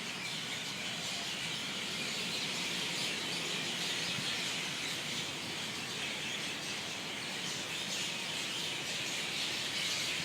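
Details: Many birds roosting in a banyan tree at sunset in Kahului, Maui, making a dense, continuous wash of high chattering calls that blend into an unbroken roar.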